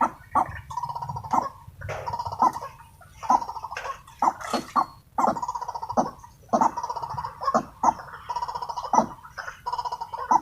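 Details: Wild white-breasted waterhens, agitated and frenzied while being lured by a decoy during trapping, give harsh, gargling bursts of calls in rapid, irregular clusters, separated by short pauses, with sharp clicks between them.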